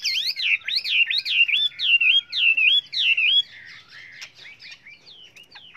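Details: Chinese hwamei singing a many-voiced training song. Seven loud, looping whistled notes repeat about twice a second, then a softer stretch of varied, thinner whistles follows.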